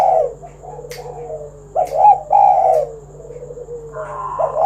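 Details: Spotted dove cooing in 'kuk 1' style as a call to start other doves singing; a loud opening coo, soft descending trailing notes, then a strong double coo and a final burst, over a low hum.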